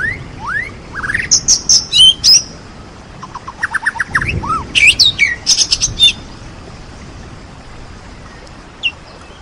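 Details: White-rumped shama, a champion singer, delivering rising whistled slurs, quick buzzy trills and sharp high chips in bursts, then falling quiet apart from one last faint note.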